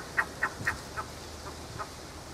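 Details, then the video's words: A buff-necked ibis (Theristicus caudatus), a pasture bird, in Tupi Paulista, São Paulo, gives six harsh, nasal honks in quick succession, about four per second, fading in loudness, over a soft background hiss. "O canto da curicaca"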